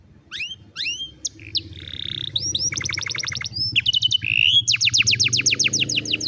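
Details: An old canary sings in the afternoon, mixing bright falling whistles, steady buzzy tones and rapid trilled series, over a low rumbling background noise.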